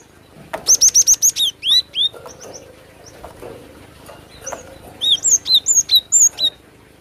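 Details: Cinereous tit lure recording, packed with song: a fast trill of even repeated notes leads into several swooping whistles, and a later string of paired, down-slurred high whistles follows.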